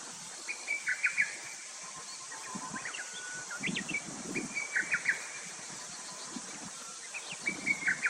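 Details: Lesser cuckoo, a summer visitor calling from cover among branches, gives several short choppy phrases of quick clipped notes that tumble downward, with low rustling knocks and a constant high insect drone behind.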